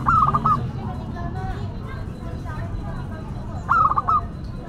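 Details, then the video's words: Singing local zebra dove with a classic, distinctive voice gives two loud phrases about 3.5 seconds apart, each a rapid chopped series of cooing notes ending in a short separate coo, with quieter low hum between. "Perkutut Lokal Gacor Suara KLASIK Dan UNIK"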